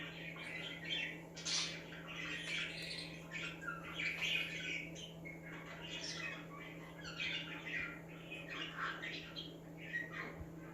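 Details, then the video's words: Pet budgerigars chirping to make other budgies active, a busy stream of overlapping warbled chirps and squawky notes, continuous throughout, over a steady low electrical hum indoors. "Budgies Chirping Sound That Make Other Birds To Be Active"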